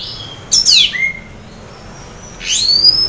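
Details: Orange-headed thrush in half breeding condition sings two loud sweeping phrases, each a steep descending slur, separated by a pause, used for luring other orange-headed thrushes to sing.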